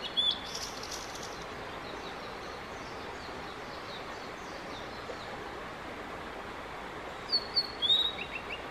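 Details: Male blue-and-white flycatcher singing at length on 5 May 2022: a quick whistle and buzzy trill open the passage, a long pause of steady ambient noise follows, then several sharp sliding whistles close it.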